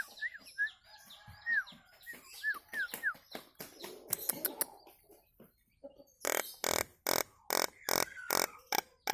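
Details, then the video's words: Cage-bird training song of the Nias hill myna: short curved whistles and soft chatter give way to a series of loud, evenly spaced explosive clicks toward the end. "Masteran Burung Jalak Nias istimewa"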